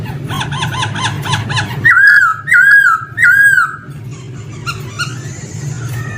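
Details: Male laughingthrush: soft chattered notes, then three loud wavering whistles about two-thirds of a second apart, followed by quieter calls over a low hum.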